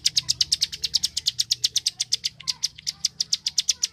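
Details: Prenjak klik sawah, the bar-winged prinia, repeats hard dry clicks rapidly and steadily, a tutoring song for competition birds; nothing else stands out.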